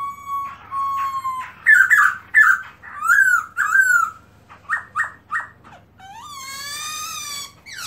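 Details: Black-throated laughingthrush song: a level whistle, then loud repeated rich, slurred phrases in pairs, some rising then falling, ending in a long wavering whistle with harmonics; melodious and loud, low hum behind.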